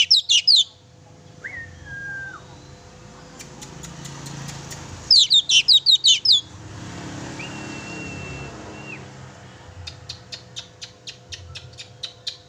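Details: Oriental magpie-robin singing vigorously as a lure for a pet magpie-robin: brief bursts of rapid high chirps, drawn-out thin whistles, background rumble and faint rows of ticking clicks.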